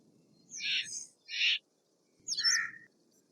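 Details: Steller's jay calling with three rough, scratchy squawks spaced unevenly, the last one sliding lower at its end, with quiet gaps between the notes.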